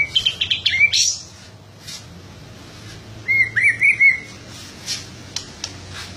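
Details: White-rumped shama song in short bursts: a few quick high whistles and chirps, a pause, then a clear warbled phrase of rising and falling whistled notes, with scattered clicks.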